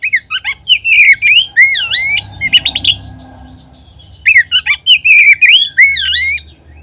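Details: Oriental magpie-robin song as a lure to trigger singing in other magpie-robins. Rich, rolling whistles rise and fall in fast phrases, with a short low-humming lull between two energetic bursts.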